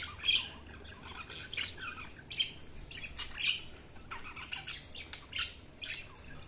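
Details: Budgerigars chattering softly with irregular chirps and short warbled squeaks over a constant low background hum.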